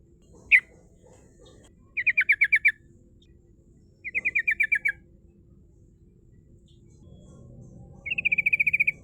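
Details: Quieter yellow-vented bulbul lure song to call rivals: one sharp note, then three separate fast trills of about eight notes each, spaced a couple of seconds apart.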